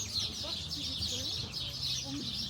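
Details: On an April evening on the Muelle Uno waterfront promenade in Málaga, Spain, a tree full of sparrows chirps continuously and loudly: many high, bright chips overlap into a busy chorus, with people talking faintly underneath.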